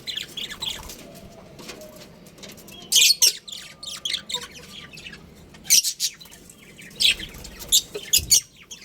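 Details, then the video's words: Busy chirping from a budgerigar colony kept as pets: many overlapping high, harsh chirps and squawks, with louder bursts repeated every second or so toward the end. "Beautiful Budgies Chirping Sounds"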